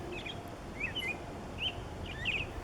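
American Robin singing short, clear whistled phrases, four in under three seconds, each slurring up and down, over a low rumble of background noise.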